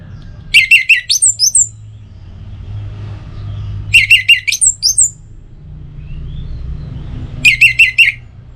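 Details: Orange-headed thrush lure song for morning and evening: three matching bursts, each of five or six quick repeated whistles ending in a higher twitter, about three seconds apart over a low engine-like hum.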